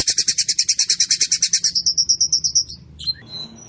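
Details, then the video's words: White-rumped shama in full, rough, clear 'rol tembak' rolling song: a rapid train of high, sharp repeated notes, roughly three per second, ending abruptly and followed by a couple of separate thin whistles. "Ciung batu gacor rol tembak suara kasar jernih!!!!!"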